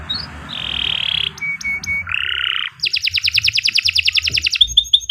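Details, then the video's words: Canary masteran song: a soft buzzy tone, short clear whistles, a lower buzzy phrase, then a fast loud rattling trill and high notes over faint hiss. "Kicau Burung Kenari 107 II GACOR PANJANG Cocok untuk Masteran"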